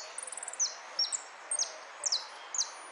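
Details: Contest-singing European goldfinch, "Amarillo de Repique" class, 03 02 13: opens with a quick run of high ticking notes, then bright downward-slurred whistles spaced about half a second apart, with background hiss.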